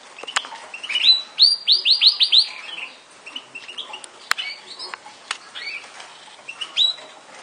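Yorkshire canary song: a quick run of bright, descending whistled notes, then scattered high chips and short trills with sharp clicks between.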